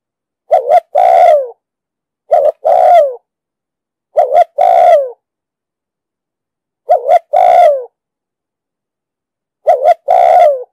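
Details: Repeated phrases of a spotted dove with a 'đồng sấm' voice, meant for luring and training decoy birds: five phrases over about ten seconds, each a quick doubled note then a long, falling mellow coo, in clean silence.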